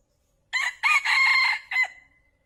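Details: Male red junglefowl crow, a call used to lure wild fowl for trapping: one loud harsh crow in three parts, a short opening note, a long sustained middle note and a brief clipped ending, followed by near silence.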